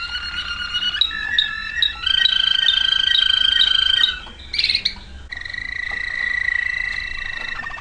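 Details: Waterslager canary recorded in 2009 singing long sustained, water-like warbling tours on steady pitches, shifting between levels every second or two, with a brief burst of bubbling notes in the middle.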